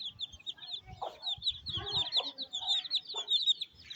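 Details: Chicks being fed by their mother hen on a rainy day in a Pakistani village. A dense, continuous chorus of high, thin peeps dominates, with a few low hen clucks underneath.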